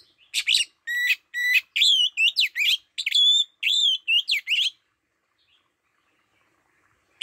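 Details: Oriental magpie-robin used as a lure bird sings a rapid run of clear whistled notes and slurred phrases for about four seconds, then falls silent before one last note.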